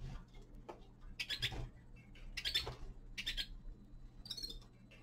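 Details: Winter recording of a young male common linnet: four separate bursts of bright, buzzy twitter spaced about a second apart, over faint clicking and a constant low hum.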